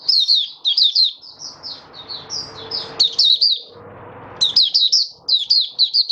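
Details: Caged oriental white-eye performing open song on 20 January 2022, fifth day after monthly deworming. High, lively chirping comes in clusters of fast slurred notes, with a quieter stretch and faint humming noise in the middle.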